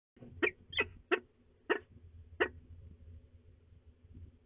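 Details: Peregrine falcons at de Mortel, recorded 19 April 2020 at 14:35; five short, harsh, broadband calls in the first two and a half seconds, spaced irregularly, over a steady low hum.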